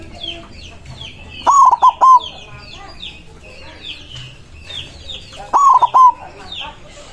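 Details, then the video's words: White zebra dove calling out rivals with a loud, emotional song. Two stuttering coo phrases about four seconds apart, each opening with an upswept note. A dense chorus of high, downslurred chirps from other birds fills the gaps. "Perkutut putih gacor suara besar ampuh memanggil lawan bunyi emosi manggung"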